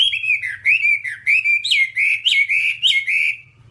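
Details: Whambie song for training other songbirds: clear, loud whistled phrases that swoop up and down, each roughly a third of a second long, strung together almost without break.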